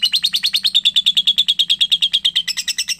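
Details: Long chattering run from a young lovebird: fast, evenly spaced harsh chips, about three per second, holding one high pitch throughout, a low steady hum in the background.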